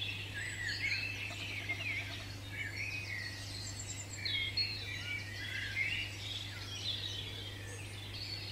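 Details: Wild European robin (Erithacus rubecula) in a British garden singing a run of thin, liquid warbling phrases that rise and fall in pitch, over a steady low hum.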